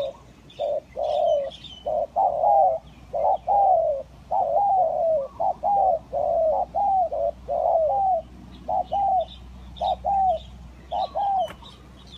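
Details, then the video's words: Spotted doves, a crossbred type and a village type, recorded as a lure: soft, low hooting coos in short phrases of two to three notes, repeated steadily with brief gaps, and faint high chirps of other birds in the background. "Pikat Tekukur Kacuk dan Tekukur Kampung"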